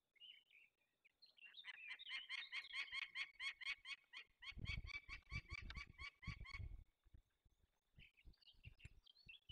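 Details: Young peregrine falcons being released into the wild in the Barycz Valley, Poland, on 27 May 2020; a rapid series of harsh, harmonic calls repeated about twice a second, with rustling and handling noise in the middle and brief calls near the end.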